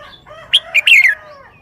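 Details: A caged red-whiskered bulbul delivers a single crisp song phrase of four rapid whistled notes ending in a falling slur, over faint background bird tones.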